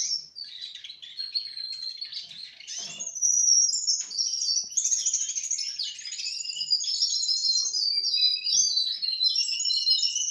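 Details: Four-month-old Russian canary singing a continuous, fast high warble of trills and twittering phrases for ten seconds, growing louder after the first few seconds, with faint knocks in the background.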